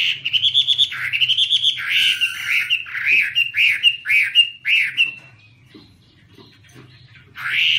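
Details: Chinese hwamei singing with wings waving, delivering loud, rich whistled phrases that rise and fall, followed by a series of rapid slurred notes, then a pause and one more loud whistle at the end.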